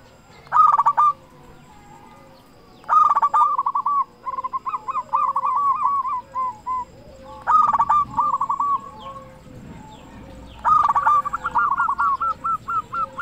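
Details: Local zebra dove, loud-voiced and in full song, used as a lure to make other zebra doves sing: rolling, trilled coo phrases near the same pitch, a short burst followed by a longer stuttering roll, repeated about every four seconds, faint background hum.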